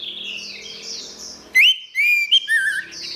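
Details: Orange-headed thrush singing, played as therapy for a silent bird: soft warbled phrases near the start, then loud clear whistled notes, rising and sliding, in quick separate bursts with brief gaps.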